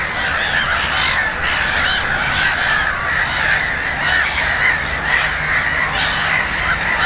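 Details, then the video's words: Many gulls at Konstancin-Jeziorna give a steady wash of overlapping raspy cries and squeals, with sharper yelps rising out of the crowd every second or so. "GŁOS MEWY-THE VOICE OF THE SEAGULL"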